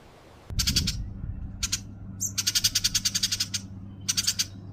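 New Holland honeyeater giving bursts of harsh, rapid chattering notes, high and scratchy, in runs of several per second, over a steady low hum.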